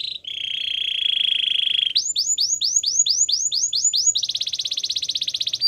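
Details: A Belgian canary in training song gives a sustained, level rolling trill, then a series of looping downslurred whistles, ending in a fast, high, buzzing rattle.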